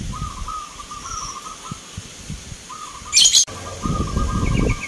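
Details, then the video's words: Local zebra doves competing in a Mentaraman-style Nglagu Ngepat song contest in Yogyakarta on 19 November 2023; rolling, low cooing phrases repeat steadily, broken by a loud burst and high chirps from other birds, with crowd noise. "PERKUTUT LOKAL BERTAARUNG ADU GACOR"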